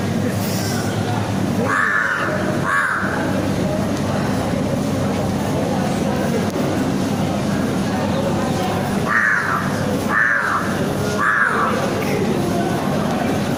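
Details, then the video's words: Wild crow in the city giving loud, harsh caws: two at the start, then three more in a row near the end, each a short rasping burst, over constant low traffic or train rumble. "LOUD AND HARSH SOUND BY CROW | CROW MAKING NOISE | CROW SAY "CAW CAW CAW."| WILD CROW IN CITY"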